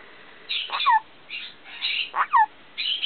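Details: Male pet black-capped caique practising the phrase "step up" that he often repeats, giving short raspy spoken-like bursts with a falling whistled tail, repeated about every second and a half.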